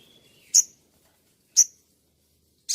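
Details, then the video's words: Sunbird (sogon) from a master recording used for training: two sharp, piercing high chirps about a second apart, with a third starting at the end and a faint thin whistle before them. "Dasyatnya MASTERAN INI ‼️SOGON LANGSUNG NGLEPER ‼️"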